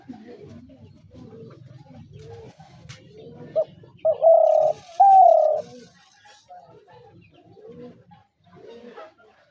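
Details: Spotted dove giving two loud, steady, mid-pitched coos around the middle, each close to a second long, over a faint murmuring background with softer scattered sounds before and after.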